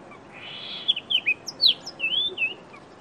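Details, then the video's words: Chestnut-vented tit-babbler call: a quick run of high, slurred whistled notes, some rising and some falling, packed into about two seconds over faint background hiss. "Chestnut vented Tit babbler call"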